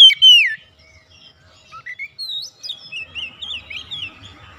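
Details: House-kept Oriental magpie-robin in active song during daily training, opening with a loud down-slurred whistle, then softer scattered twittering and sliding notes over a faint low background hum.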